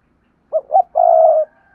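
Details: Spotted dove singing the opening of a 'cu gáy đôi' phrase: two short hollow coos quickly followed by a long, level, slightly pulsing coo lasting about half a second, nearby and free of other sounds.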